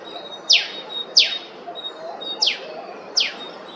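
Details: Eastern spinebill, an Australian honeyeater from Queensland, giving four sharp, high, downward-sweeping notes at irregular intervals of under a second, with a faint steady high tone and quiet background hiss.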